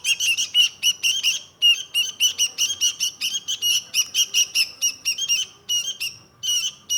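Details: Indonesian sooty-headed bulbul (kutilang) giving a continuous string of scratchy, squawking notes, closely spaced with short gaps, loud and high-pitched throughout.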